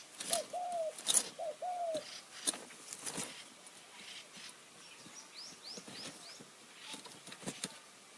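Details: Spotted dove being lured with a decoy bird in high mountain forest near Kanchanaburi, Thailand, with cooing styles called ku-ang and nun-ang. Two short low coos at the start, then clicks, rustling and thin high chirps from other birds.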